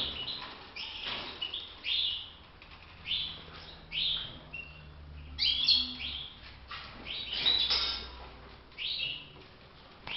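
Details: European goldfinch kept in a cage, recorded for song training, delivers a long run of quick chirps and twittered notes in bursts every second or so, over a low steady hum.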